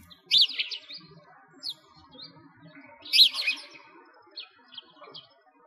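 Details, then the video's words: Sparrows by a frozen lake in winter, Bratislavsky Park, Moscow, Russia: two loud bursts of quick, squeaky chirps about three seconds apart, with faint scattered tweets between them. "Sparrows singing"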